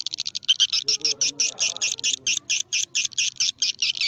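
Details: Swiftlet call played as a lure for swiftlet houses. Sharp, high, rasping chirps repeat in an even, rapid train, with faint low murmuring early on.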